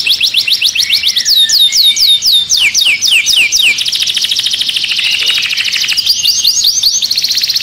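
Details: Agitated canary singing inside its cage, loud rapid downslurred whistles repeated several times a second, running into a dense buzzy trill with more sweeps near the end.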